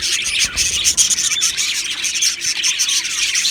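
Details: Cheerful chorus of Australian budgerigars in an aviary colony: loud, dense chirping with sharp squeaks and repeated thin whistled notes over a continuous scratchy warble.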